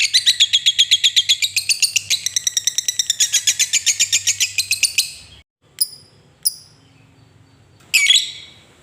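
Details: Long lovebird ngekek chatter, played to coax reluctant lovebirds to sing. A fast, high, rattling trill holds for five seconds, then breaks off into silence broken by three short sharp chirps.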